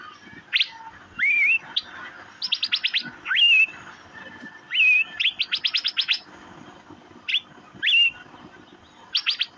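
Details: Asian fairy-bluebird giving chirping calls: short bursts of rapid sharp chirps alternate with single clear whistles that rise steeply and then flatten. These calls repeat irregularly over several seconds against a quiet background.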